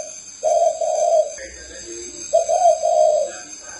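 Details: Cu khách spotted dove recorded in Ba Vì, Hanoi, Vietnam. It gives two short bursts of deep, hollow cooing, each a quick note followed by a drawn-out one, over a continuous faint electrical whine.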